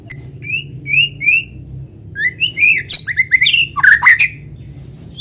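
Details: White-rumped shama singing, used to prompt other shamas to join in: a few slurred rising whistles, then a fast, louder sequence of varied whistles and grating notes.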